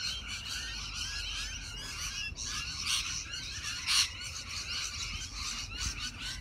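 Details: A tree full of rainbow lorikeets, captured on a ZTE Nubia Z7 Max phone: steady, overlapping high screechy chatter from many birds, with louder squawks near three and four seconds over a low background rumble.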